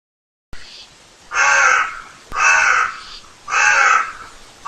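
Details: Barn owl on a nest camera giving strange sounds: three harsh, broad rasping screeches, each about half a second long, spaced roughly a second apart, over a quiet, steady background hiss.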